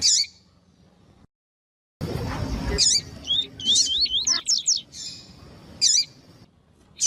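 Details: Calls of a female double-collared seedeater, used to warm up and stimulate singing in a cold coleiro. Silence first, then high sharp chirps and a rapid zigzagging trill of wavering notes.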